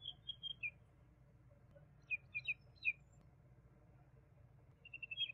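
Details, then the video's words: A juvenile common babbler, Argya caudata, delivers a short run of high notes, then three crisp falling chirps, and a fresh rapid trill at the end; faint low hum throughout. "Juvenile Common babbler (Argya caudata) Song - Sound - Singing - Call - Voice - Vocals - Chirping"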